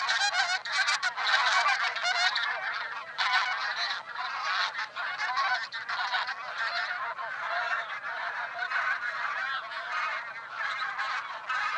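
Geese honk in a dense, continuous chorus, harsh nasal calls overlapping with no pause.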